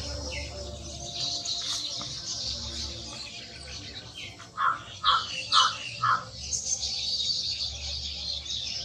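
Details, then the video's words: Cotton pygmy goose in India: a loud run of about five nasal, squawking notes in quick succession, coming after softer scattered chatter and set against a dense high hiss of other birds or insects. "Cotton pygmy goose"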